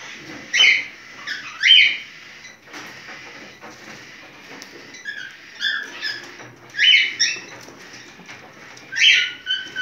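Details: Mating calls from a cockatiel in breeding condition: sharp, rising chirps in clusters about every one to two seconds, with faint rustling between them.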